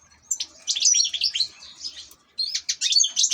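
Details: European goldfinch kept as an ornamental cage bird, singing a fast, high twittering song of bright chirps and short whistled trills in two bursts separated by a brief pause.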